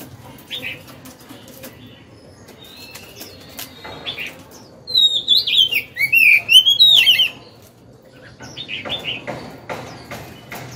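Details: Old wild-caught Oriental magpie-robin kept caged for two years, which sings when hung up: a burst of twisting whistled and warbled notes midway, with faint chips before and after over steady background noise.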